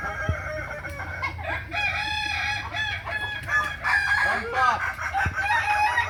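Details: Kukuak Balenggek chickens crowing during a group practice gathering at Ampang Kualo, Solok, May 2024: stacked, drawn-out crows with stepped syllables overlap one another, along with brief knocks and people talking.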